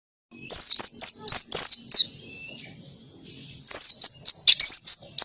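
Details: Oriental white-eye singing energetically in ngalas style with canary-style shots: quick runs of high, sharp, falling whistled notes, a pause of over a second, then another rapid burst of slurred chirps.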